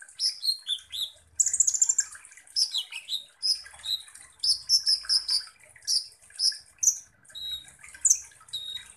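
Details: Kolibri ninja sunbird in lively song, played to provoke other birds: rapid high chirps and sweet falling slurs, a brief fast rattle, repeated in short bursts, with faint low thumps underneath.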